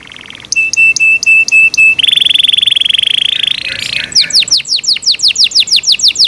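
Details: Yorkshire canary kept as a pet, its song moving from spaced sharp chips over a steady tone into a dense buzzing trill, then a quick run of falling whistled notes.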